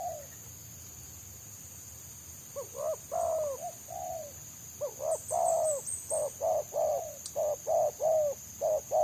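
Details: Wild spotted dove with a prized selang nguku song, dense and fast, pursued by trappers using a decoy: after quiet opening coos, a run of loud mellow coos repeats almost every half second, with a steady high hiss.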